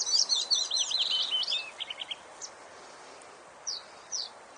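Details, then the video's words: Chirping birds: a fast, high twittering phrase of tumbling notes that ends in a few short chirps, then a pause, then two more brief, thin chirps over faint background hiss. "Birds Chirping"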